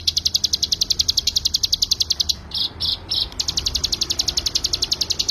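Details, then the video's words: Bar-winged prinia singing in the fast 'ngebren' style, a recording meant for training other songbirds: rapid, evenly repeated high sharp notes, about three per second, briefly interrupted by a few longer buzzy bursts midway. "CIGUN GACOR FULL NGEBREN"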